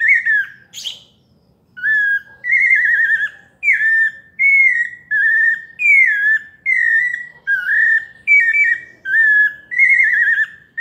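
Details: Pale-breasted thrush performing a melodious paulista song: after a brief scratchy burst, a regular run of rising, falling and warbled whistles follows with short gaps.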